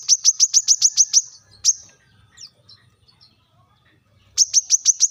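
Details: Brown-throated sunbird giving a sharp call to summon rivals: a fast run of about eight high, piercing ticks, one stray note, a pause, then another rapid burst of ticks.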